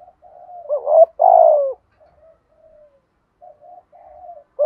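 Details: Spotted dove cooing a full song: two loud, low, rounded coos in the first two seconds, then softer, fainter murmured coos, and one more strong coo at the end. The background is quiet.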